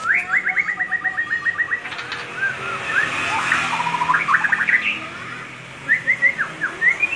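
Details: Loud, ringing song of a white-rumped shama: a fast run of about ten short repeated whistled notes, then a burst of clicks and varied, chattering whistles, ending with rising whistled phrases.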